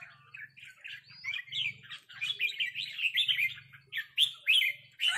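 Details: Two red-whiskered bulbuls dueling in 'rik' calls, a resident territorial bird hazing an arrival: rapid clipped chirps and rising whistled notes in uneven bursts, with soft low thumping underneath.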